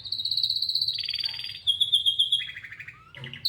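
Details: Singing canary delivering a long fast trill that drops into a buzzy rattle, then a sharper run of clipped notes and lower rolling trills, over a steady low hum.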